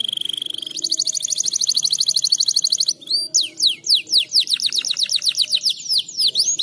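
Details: A breeding-condition canary sings to encourage mating: a steady thin whistle opens into a long, rapid, rattling trill, then after a short break a fast run of sharply sweeping downslurred notes.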